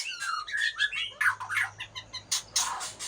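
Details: White-rumped shama of the Aceh type in a lively, dense burst of varied notes: quick whistled slurs and chirps between mid and high pitch, each note short, with scratchy bursts mixed in and no other clear sounds.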